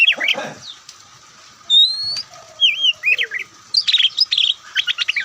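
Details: Oriental magpie-robin, white-breasted form, in its showy Ngobra singing style. A rustling, flapping sound comes first, then a long pure rising whistle, a looping note, and quick clusters of sharp chirps.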